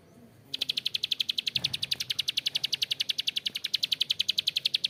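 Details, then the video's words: Prenjak klik, the bar-winged prinia, giving a long coarse 'ngebren' rattle, a rapid, even string of sharp high clicks that starts after a brief pause and runs unbroken to the end. "PRENJAK KLIK GACOR ‼️Ngebren Panjang suara kasar"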